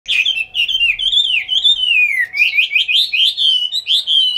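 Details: Chinese hwamei kept as a cage bird in Hanoi, Vietnam, singing a continuous run of loud, clear whistled phrases that warble up and down in rapid, looping slurs without pause.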